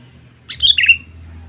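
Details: Sooty-headed bulbul lure call used to attract wild birds: one short bubbly phrase of two or three liquid, slightly descending chirps lasting about half a second, over a faint low hum.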